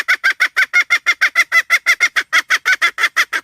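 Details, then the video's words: Hen giving a steady series of short, harsh, nasal clucks, about three per second, evenly spaced and equally loud throughout. "suab poj qaib seev dib tuaj zoo heev"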